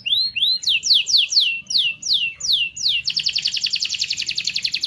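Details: Canary used as a singing stimulus for other canaries: rising whistles followed by six loud descending sweeps about half a second apart, then an abrupt rapid rattling trill to the end.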